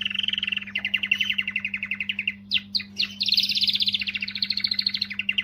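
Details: Canary song played to motivate females: long rapid trills of evenly pulsed notes, a brief break of a few sharp sweeps, then a higher, faster rolling trill, over a steady low electrical hum.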